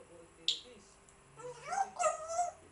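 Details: Pet African grey parrot indoors giving a sharp high whistle, then a run of harmonic, wavering squawks and chatter that rise and fall over about a second, in a quiet room.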